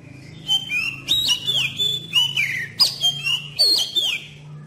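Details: Black-throated magpie-robin (kacer) lure song, played as therapy to get young birds singing: a continuous run of loud whistled notes with sharp rising and falling sweeps and harsh buzzy bursts, phrases every half second or so, over a low steady hum.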